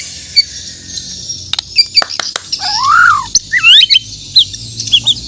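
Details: White-rumped shama from Borneo in the morning giving sparse, sharp clicks and a long, arching whistled note, followed by quick twisting high phrases and thin chips.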